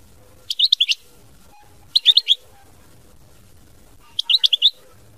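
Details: European goldfinch, mama binette song, delivering three short tinkling phrases of four or five quick notes each, spaced about one and a half seconds apart.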